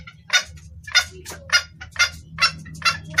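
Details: Clear-voiced red junglefowl hen calling a male: seven strong, raspy clucks at an even pace, each about half a second apart, over a soft low hum.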